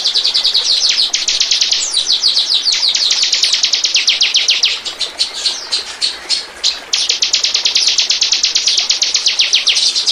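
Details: Bar-winged prinia lure song: long, rapid series of high, ticking chips, softer and looser in the middle, then strong again to the end.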